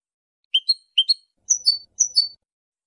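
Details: European goldfinch, a male from Casablanca, Morocco, in clean song: a few crisp, high chirped notes in quick pairs, rising in pitch toward the end, against silence.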